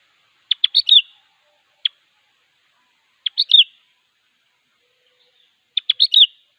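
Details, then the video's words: Vigorous sooty-headed bulbul song aimed at a rival: short chattering phrases of three or four bright, bubbly whistles, plus a lone note, repeated roughly every two and a half seconds against silence. "Suara Burung Kutilang Gacor Siap memanggil Lawan"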